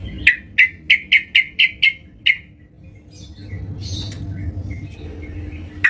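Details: Yellow-vented bulbul in lively (gacor) song at home: a quick run of seven evenly spaced, clipped bright notes, then a quieter stretch with faint high chirps and one closing note.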